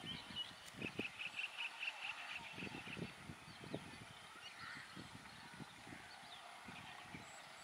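White-browed wagtail giving a quick run of about ten clear, evenly spaced mid-high notes, then fainter chirps, over low thumping wind or handling noise.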